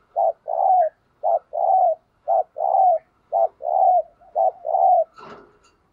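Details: Caged spotted dove decoy in thúc gù cooing, meant for provoking wild doves: five evenly spaced short-long coo pairs about one per second, low and throaty, ending with a brief rustling noise.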